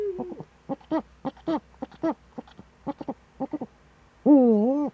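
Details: Morning recording of a Eurasian eagle-owl in Germany's Eifel, September 2013: a sliding tone, then many short low pulses in loose pairs, closing with a loud, rasping, wavering cry about two-thirds of a second long.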